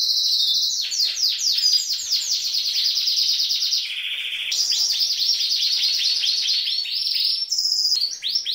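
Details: Green female canary that sings like a male and stimulates males. A continuous run of rapid high trills changes pace several times, with a lower buzzy phrase midway and a bright whistle near the end.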